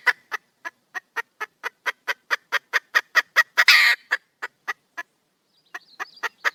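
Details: Wild female red junglefowl calling to a male, giving rhythmic clucks about twice a second that rise to a loud scratchy squawk, followed by slower clucks and a few faint chirps.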